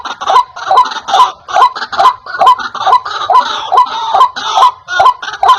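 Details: White-breasted waterhen calling, a clear and loud sound meant to draw in wild birds: grating croaks pulsing regularly at roughly two and a half per second.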